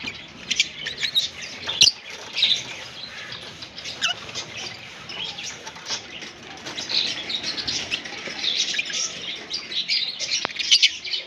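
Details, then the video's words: Green Fischer's lovebird pair, a colour form known for long-duration songs, giving dense, rapid high chirps and twittering throughout, with sharp tick-like notes and brief bursts of louder squeaky phrases. "Lovebird Singing & Chirping Sounds - Green Fischer Pair"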